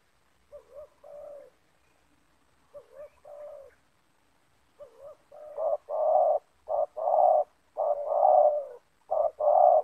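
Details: Spotted doves in a yard, a decoy and a wild rival, both banggo type; soft paired coos at first, then a louder run of rapid hoarse coo notes crowding together.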